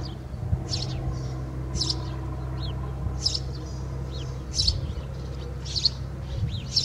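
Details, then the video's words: Wild house sparrow at Alikes, Kitros in Greece, singing from within a swallow's nest: sharp, clear chirps given roughly once a second, each a quick bright note, over a steady low background hum. "Σπιτοσπούργιτο μέσα σε φωλιά χελιδονιού / Passer domesticus singing into a swallow's nest"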